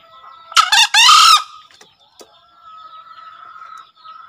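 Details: Loud raspy crow of a green junglefowl in two quick parts, a short harsh note then a strained drawn-out one, followed by a couple of clicks and soft background bird chatter; a daily master recording for encouraging captive birds.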